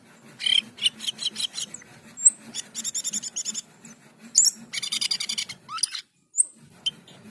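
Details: Asian pied starling singing energetically, a mix of harsh buzzy bursts, short sharp whistles and rapid rattling trills in uneven phrases, over a steady low hum.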